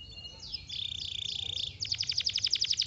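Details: Canary singing: a high whistled note with buzzy overtones, then a long sustained buzzy trill, then a fast run of sharp repeated chirps, about a dozen in under a second and a half.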